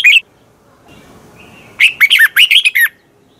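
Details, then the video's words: Red-whiskered bulbul from Thailand, a teacher-bird song for training singing: one short chirp, a pause, then a fast burst of about eight bright, warbled notes lasting roughly one second. The background is quiet. "ฝึกเสียงของคุณเพื่อทักทายกับยอดเพลงและร้องเพลงที่มีไฟอย่างรวดเร็ว นกกรงหัวจุก"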